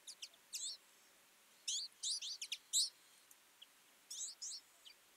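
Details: Flocking twites at a winter feeding site, with rapid bright chirps in several tight bursts of overlapping calls and short quiet gaps between them.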